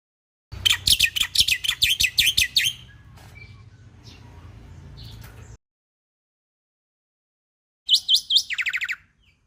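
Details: Bali myna, endemic to western Bali's forests, in a lure and master song for training other birds: a fast burst of sharp, high chirps repeated about three per second, then a low hum, then a short chirp series ending in a descending buzzy run.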